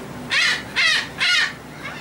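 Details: Seagull fed on a ferry deck leaving Texel, Netherlands, 28 March 2014, gives three loud, harsh, drawn-out cries about half a second apart, over a faint engine drone.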